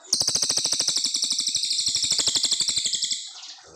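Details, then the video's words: Clear-voiced brown fulvetta giving its long 'nembak' song, used for teaching white-rumped shamas: a loud, quick trill of evenly repeated high notes, roughly eight per second, running three seconds before trailing off. "Cililin gacor panjang"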